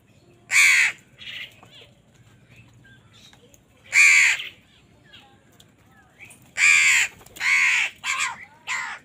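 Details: Crows squabbling over food give loud, rasping caws, singly at first and then a quick burst of three to four near the end, with softer calls between.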